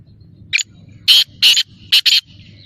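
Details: Black francolin calling: a soft short lead note, then four loud harsh, rasping bursts arranged in two pairs about half a second apart, over a faint low hum.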